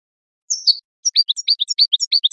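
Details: Two thin, slurred high whistles open this goldfinch song. A quick series of bright chirping notes follows, alternating high and lower. The recording is clean, from a tape for tutoring chicks and songbirds.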